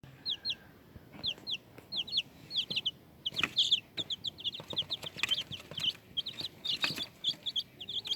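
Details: Young chicks peeping steadily, with many high, sharp, downward-slurred squeaky notes repeated several times a second over faint background noise and occasional clicks.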